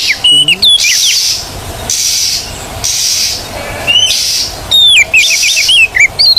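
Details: Oriental magpie-robin in a recording for training birds that have stopped singing: clusters of quick up-and-down whistled notes and short trills, separated by regular stretches of hissing noise.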